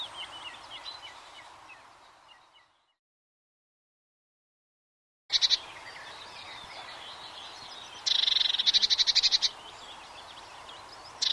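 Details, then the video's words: Eurasian blue tit song: a loud, rapid trill of evenly spaced high notes lasting over a second near the end, after a brief silent gap, over a soft background chorus of other birds. "Blue Tit's Enchanting Bird Song"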